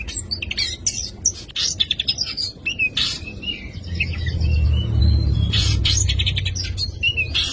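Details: Oriental magpie-robin singing a full 'isian' song: quick bursts of chattering notes and short rising whistles, a brief lull, then more rapid buzzy phrases, over a steady low rumble that grows midway.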